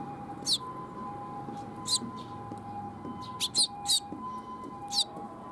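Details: Short, high chirps from a young sparrow, recorded 5 June 2021 at Mizukami Bridge. Five or six separate notes come at uneven gaps, a close pair near the middle, over a constant humming drone.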